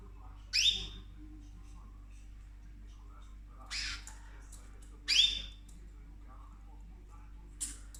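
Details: Indoor cockatoo nibbling orchids lets out a series of four harsh screeching squawks spaced unevenly, the last one brief, over low mechanical hum.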